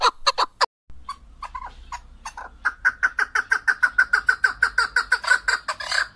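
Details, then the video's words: Keklik, the Chukar partridge, opening with a few loud notes, falling quiet briefly, then building a fast, accelerating series of clipped chuck notes, around three per second, over a faint low hum. "Голос Куропатка как поёт Горная Куропатка Кеклик"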